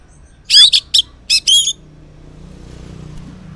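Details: Orange-headed thrush in morning song, used to prompt silent males to respond; a quick run of five high, complex chattering and whistled notes, then quiet with faint low background hum.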